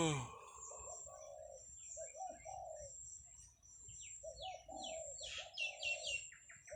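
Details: Zebra dove gives soft, rolling, stuttered coos in three phrases at 8 a.m. on a fine Thursday morning, 17 July 2023, near grazing buffalo and cattle; other small birds chirp high above, with a steady thin insect-like whine.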